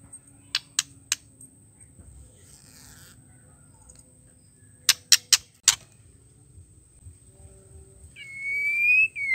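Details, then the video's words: Female white-rumped shama calling, used as a lure to provoke males into singing: sharp dry clicks, three early then four in a quick cluster, ending with a brief rising whistled note over quiet low hum. "PANCINGAN MURAI BETINA GACOR PALING AMPUH TERCEPAT BIKIN EMOSI MURAI"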